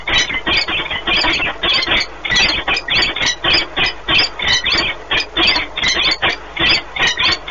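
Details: Bonding pair of peregrine falcons at the nest, Orlen Płock, Poland, 1 March 2019: fast, pulsing, harsh chips repeated well over once a second in a steady rhythmic chatter.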